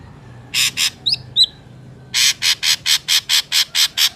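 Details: Ashy drongo lure sound: two scratchy notes, a pair of short whistled slurs, then a long, evenly paced string of harsh, rasping notes.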